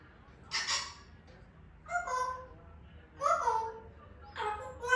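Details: Natural sounds of an African grey parrot: four separate calls spaced about a second apart, mixing a rough, hissy screech with nasal, wavering whistled notes that waver and dip.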